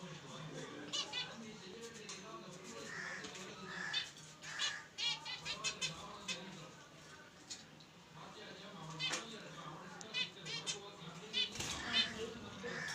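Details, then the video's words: Two pairs of white finches in a cage trade short, high, nasal chirps in quick overlapping bursts over a low, steady indoor hum; finch. "White finches bird// cute bird/2 pair in a cage/ Original sound"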